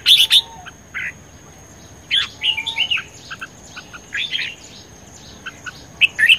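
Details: Energetic red-whiskered bulbul delivering short, chirpy, warbling phrases in spaced bursts, some sharp and high, with a faint low whistle in the background.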